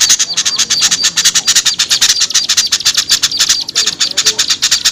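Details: Effective lure for small birds that are hard to bring down: steady, rapid-fire high chips packed closely together, forming an almost continuous twittering chatter, with a few faint low squeals near the end.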